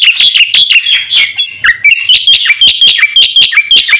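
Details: Actively singing black-winged myna with a full fill-in repertoire, played as a lure and training recording: a dense stream of quick, high chirps and short whistled notes, repeated nearly twice per second with uneven spacing.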